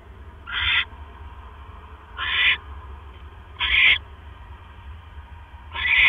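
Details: Barn owl at a nest, recorded 12 October 2015 at 1:09 AM as the male delivers another mouse: four harsh, hissing screeches, each under half a second, spaced about every 1.5 seconds over a low steady hum.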